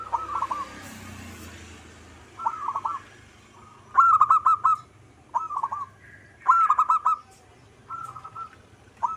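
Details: Local zebra dove singing actively, giving about six separate bursts of quick, bubbling staccato coos at a steady mid pitch. Some are loud and some softer. Short gaps separate the bursts, with a low hum underneath.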